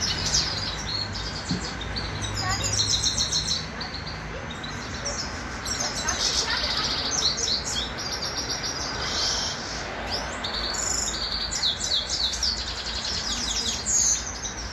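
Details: A grey-crowned goldfinch from Khujand, a caged fighting goldfinch, sings a fast, high, tinkling twitter of rapid chirps and trills almost without a break, over a low steady background hum.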